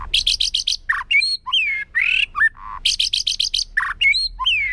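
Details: White-rumped shama forest-voice song, rich and varied: rapid high buzzy trills, rich falling whistles, and a harsh rasping note, repeated as a loud phrase.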